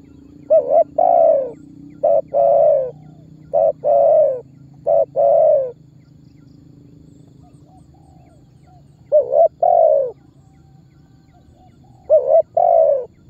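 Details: Spotted dove calling-and-pressing lure, used by bird trappers to provoke other birds to answer. Four phrases of clipped notes, each ending in a long falling coo. A long pause follows, then two more phrases. Faint low hum underneath.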